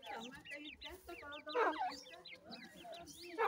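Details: Newly hatched francolin (teetar) chicks beside their parent: thin, high peeps sliding downward, many overlapping in quick runs, over soft lower clucking notes.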